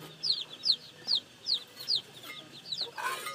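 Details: Regular, piercing downslurred peeps from newly hatched chicks, about two per second, fading into a brief rustling noise at the close.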